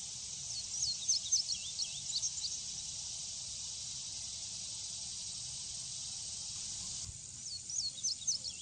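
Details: A male indigo bunting (Passerina cyanea) sings two bursts of high, sweet paired notes, partly masked by a steady, loud insect drone.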